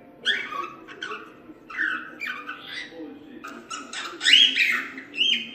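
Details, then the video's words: Cockatiel chattering softly with squeaky, buzzy notes and slurred whistles, ending with a couple of louder upward-swinging whistled calls. "Cantos e Assobios Para Calopsitas"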